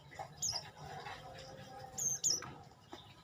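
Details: Olive-backed tailorbird song, sharp high-pitched chirps that slur downward, one early note, then a close pair after a pause, set against steady low rumbling background noise.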